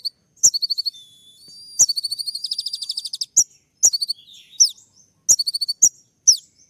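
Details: Olive-backed sunbird singing with sharp 'shooting' notes while courting a female: high piercing downslurred whistles alternating with fast buzzy trills of rapid ticking notes, in bursts separated by short pauses.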